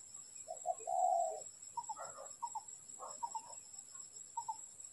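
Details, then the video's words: Spotted dove during trapping. One clear low coo phrase is followed by fainter broken cooing notes against a hissy background and a steady high tone. "Bẫy Chim Cu Gáy"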